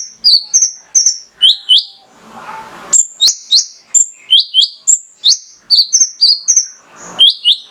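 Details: Male Mangrove whistler in loud, full song, played to provoke sunbirds into singing: sharp, high whistled notes, many sliding down, given in quick runs of two or three with brief pauses, about fifteen notes in all.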